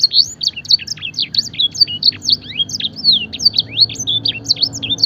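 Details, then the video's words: A fancy canary's gacor tutoring song with blackthroat fill, delivered as fast rolling bursts of clear, high, swooping notes and short trills, strong and steady with almost no gaps. "masteran suara burung kenari full isian mewah blackthroat dan sanger gacor"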